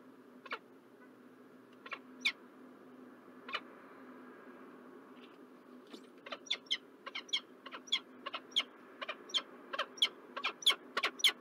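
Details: Peregrine falcons of a pair in Montreal, Canada, on 4 November 2023: sharp, harsh clipped calls, scattered at first, then quickening into a rapid series of loud notes about three per second, over a faint steady hum.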